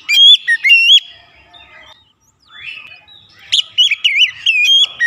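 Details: Oriental magpie-robin used as a lure to excite other birds: bursts of loud, clear, warbled whistles and sharp upslurs, a quiet pause with soft murmuring, then another rich whistled phrase.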